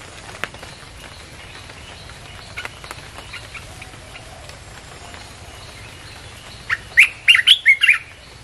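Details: Red-whiskered bulbul song used to lure wild birds. Several seconds of faint, scattered background chirps, then a short, loud run of five quick whistled, warbling notes at the end.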